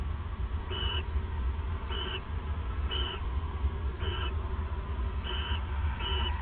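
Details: Nesting owls bonding and regifting in the early morning of December 29, 2014; six faint, breathy raspy calls about a second apart, over a loud steady low-pitched hum.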